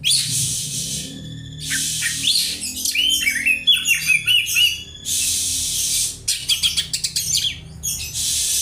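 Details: Oriental magpie-robin copying house sparrow calls as tutoring material: harsh, noisy bursts alternate with quick, warbled, varied high notes and sparrow-like chirps, in several separate phrases.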